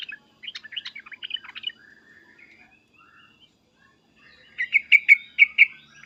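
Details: Yellow-vented bulbul giving agitated, loud calls in the styles known locally as "cukcuk" and "uplikuplik", used to make kept bulbuls answer. Bursts of bubbly chattering notes open it, a quiet warbled stretch follows, then five strong repeated chirps close it.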